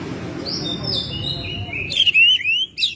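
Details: Captive Oriental magpie-robin singing at home: a long, soft high whistle followed by a loud flurry of bright slurred whistles and a sharp buzzy note.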